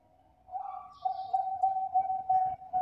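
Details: Zebra dove of the Bangkok type, kept as a lure to draw others: a smooth tonal note followed by a string of short, level coos repeated several times a second, with faint low rumbling beneath.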